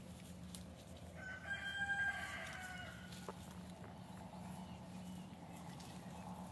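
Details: Olive Egger rooster (F3 cross) crowing among free-ranging backyard chickens. The single crow holds steady for about two seconds, rich in overtones, then tails off. A continuous low hum sits underneath.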